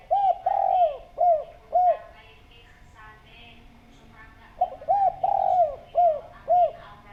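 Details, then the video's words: Spotted dove, sung as a lure for other doves, giving two full phrases: stuttered short coos, a long sliding coo and two clipped closing coos, repeated after a quiet gap filled with faint bird chatter. "Derkuku Gacor Suara Bening, Cocok Buat Pancingan"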